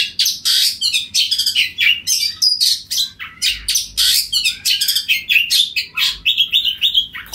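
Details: Oriental magpie-robin in loud, full ngeplong song, calling out to rival birds: continuous run of sharp whistled notes, buzzy trills and chattering phrases, mostly high-pitched, each burst about half a second, barely any pauses.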